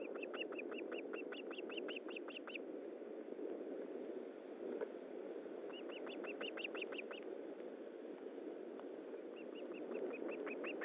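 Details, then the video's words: Osprey at its nest during feeding, 19 July 2012 at 9:43, giving bursts of quick, repeated whistled chirps, about a dozen per burst, separated by pauses, over a steady rushing background hiss. "Osprey Nest - Feeding Part II"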